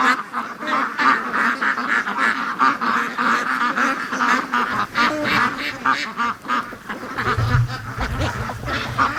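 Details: Free-range ducks in their morning rush, a crowded run of overlapping quacks rising and falling in loudness, with a low rumbling noise joining near the end.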